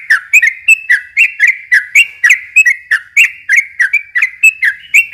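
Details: Yellow-vented bulbul with loud, fast, extended song meant to lure young birds. Sharp, whistled, slurred notes repeat nearly four times a second in an unbroken stream.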